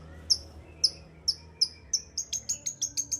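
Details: Long-tailed shrike song to trigger a quiet shrike: thin, very high whistled notes, first spaced widely then speeding into a rapid repeated series.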